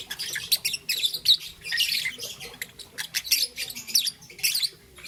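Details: High, harsh chirps and squeaky notes from a young peach-faced lovebird, green and yellow, heard in the morning in a busy, irregular stream with occasional louder squawky bursts.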